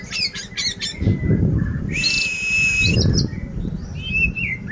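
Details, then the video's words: Oriental magpie-robin song, clear-voiced, played to prompt a kept bird that has stopped singing. Varied whistles and harsh chattering bursts, then a long sustained whistled note and further short phrases, with low rumbling noise between them. "Pancingan suara Kacer jernih cocok untuk Kacer anda yang macet"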